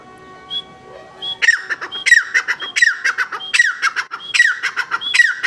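Grey francolin giving loud, harsh, squealing calls. Each call opens with a thin whistled note, and they repeat rapidly, a little over one per second.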